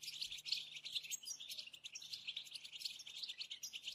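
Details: Quieter European goldfinch mating song in the tbetba and stsesta styles: an unbroken, high, fine twitter of quick chirps and trills, with no other sounds.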